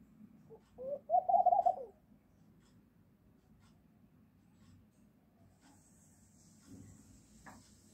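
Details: A laughing dove that came in the morning to wake the household gives a brief, low, bubbling run of quick cooing notes lasting about a second. Quiet follows, with faint background hiss.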